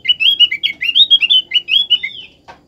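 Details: Opior (white-eye) lure song for getting other opior to sing: quick, high, twittering warbled notes tumbling one after another for about two seconds, ending with a single short click.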